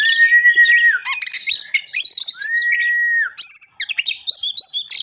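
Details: Oriental magpie-robin song opening with two long, level whistled notes that each end in a downward slur, separated by a burst of fast chattering, then quick high-pitched twittering phrases.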